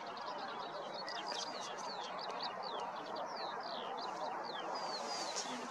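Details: Red-breasted geese in a flock at Reola village, Kambja parish, Tartu County, Estonia, give a steady stream of high, squeaky, clipped overlapping yelps over a constant rushing hiss.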